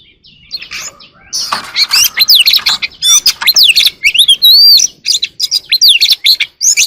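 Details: Oriental magpie-robin singing early in the morning in rich, varied song: rapid clear whistles, rising and falling slurs and sharp chips, delivered loud and almost without pause.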